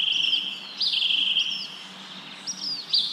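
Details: Thin, high bird chirps with wind in leaves: a sustained sharp whistle at first, then short bright notes popping every half second or so over gentle windy rustle.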